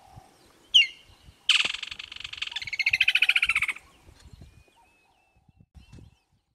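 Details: Woodland kingfisher calling from a tree in Kruger National Park in the African bush summer: one sharp high note, then a loud, long rattling trill that slows and slightly drops over about two seconds, with faint low background rumbles.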